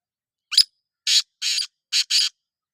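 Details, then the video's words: Black francolin (kala teetar) call: harsh, grating, buzzy notes in a rhythmic pattern. A short note is followed by two longer bursts, a brief gap, then two more bursts. The notes stand out against a silent background. "Kala Teetar ki awaz | Black Frankoline Voice | Kala Teetar voice | کالا تیتر کی آواز"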